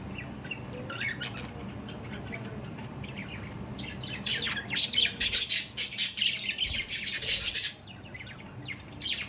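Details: Budgerigars chattering with dense bursts of harsh, broadband squawks and chirps that grow louder toward the middle, over a steady low background hum.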